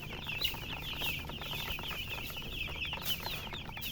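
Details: Domestic chickens described as colour chickens, chirping steadily: a dense mass of high, thin peeps overlapping continuously, many birds calling at once with no pauses, over a low background hum.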